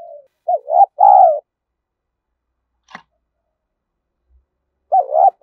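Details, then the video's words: Spotted dove giving urgent coos and crowing used to train decoy birds: a quick group of wavering hollow notes, then silence with a single click, then another warbling coo. "Thúc Gù + gáy Gọi đủ bài bổi nghe nhạy gáy tập mồi hiệu quả"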